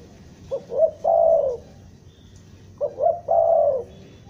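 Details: Two stuttered cooing phrases from a spotted dove used as a Bandung trapping lure. Short hesitant notes run into a long, smooth, low coo, with a faint thin whistle in the background.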